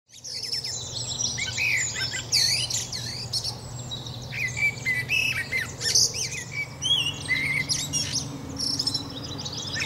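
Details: Common blackbird giving short fluted phrases near the low-middle range, each followed by thin high twittering, amid busy overlapping chirps from other small birds and a steady low hum throughout.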